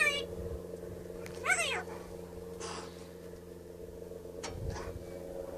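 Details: A wild black-billed magpie that follows children around a house, heard early in the morning, mimics their voices with a short voiced, arching "hi" over a steady low electrical hum and a few faint clicks.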